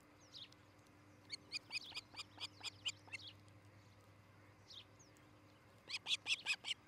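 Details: Osprey pair nesting at Charlo, Montana, filmed by nest camera, morning of 13 July 2018: a soft run of evenly spaced high cheeps, a quiet spell, then a louder burst of shrill piping notes.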